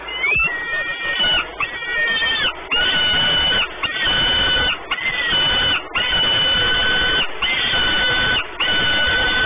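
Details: Calls of peregrine falcons nesting at Orlen, Płock, Poland, 28 May 2019. Drawn-out, level, harmonic wails follow one another almost without pause, some opening with a brief upward slur.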